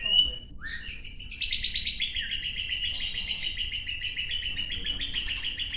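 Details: Caged white-rumped shama at a training session in Gayo Lues, Aceh, delivering a short whistle then a sustained stream of fast, buzzy, repeated chattering notes, with a faint voice briefly at the start.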